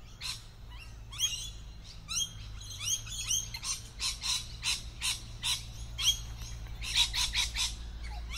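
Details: Loud, continuous chorus of lorikeets camouflaged in a tree: rapid shrill screeches and buzzy sweeping squeaks following one another almost without pause, growing denser toward the end.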